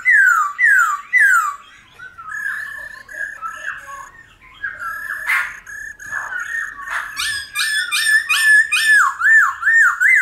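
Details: Black-throated laughingthrush singing in the mature wild-style voice with many voices, played to stimulate wild-caught birds to sing. Loud whistled notes sliding down in repeated swoops, then varied warbled phrases and a run of rapid rising-falling whistles.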